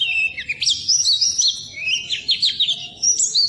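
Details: Short stretch of Oriental white-eye song for training birds that won't sing; high slurred whistles and quick twitters in an irregular rapid stream.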